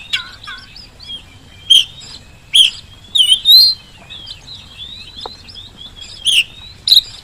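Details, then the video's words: Oriental magpie-robin used as a lure to make reluctant birds sing back; scattered sharp buzzy notes and short loud phrases between soft, thin continuous whistles, with a few falling notes at the start. "kacer gacor pancingan kacer malas bunyi saat di rumah maupun di lapangan jadi cepat nyaut"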